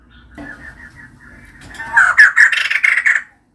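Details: Female white-crested laughingthrush singing actively: soft murmuring notes build into a loud, harsh, rapid chattering series of notes.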